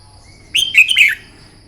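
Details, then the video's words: One short, loud, liquid warbled phrase of a Red-whiskered bulbul in morning contest-song training, preceded by a faint thin whistle, the phrase bubbling up and down for about half a second. "Chào mào hót kích lửa " luyện chào mào hót đấu buổi sáng" kích chim hót căng lửa"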